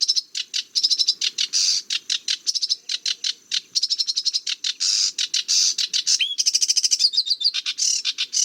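A sedge warbler sings a fast, chattering run of harsh notes and rapid repeated phrases with a few clear whistled slurs, with no other sounds.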